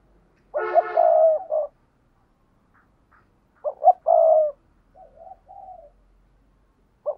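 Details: Spotted dove cooing as a lure for wild doves. A rich coo phrase, a second phrase of two quick notes and a long hoot, then soft wavering coos and the start of another note.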